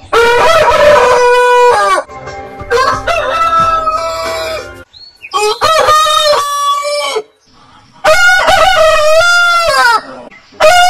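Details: Four loud rooster crows about every two to three seconds, each a harmonic, ringing call with a stepped start and a slight fall at the end.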